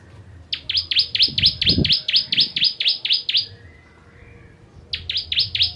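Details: Ciblek Kristal, a bar-winged prinia, singing its 'tembakan' style for training contest birds: a long run of about thirteen shrill descending chips, a brief quiet gap, then four more, with a few low bumps underneath.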